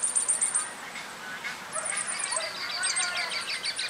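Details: Yellow-faced grassquit of the nominate subspecies olivaceus, recorded at Viñales, Cuba, in July 2017: very high thin insect-like buzzes and rapid trilled phrases, with other chirping birds in the background.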